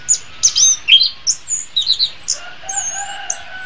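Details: Orange-headed thrush in a master song recording, giving a scattered series of thin, high chirps and slurred notes, some quite faint, with a soft steady tone in the background.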